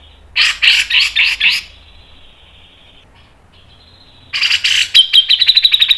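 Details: Grey-cheeked bulbul singing rapid mbeset-style phrases: a series of five harsh, buzzy rising notes, a thin high whine with near silence, then a loud burst moving into a quick, ringing pulsed trill.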